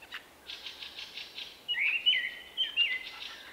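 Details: Male common blackbird with an individual song unlike others nearby, March 2024: a run of soft repeated high notes, then a loud rich warbling whistled phrase rising and falling for nearly two seconds.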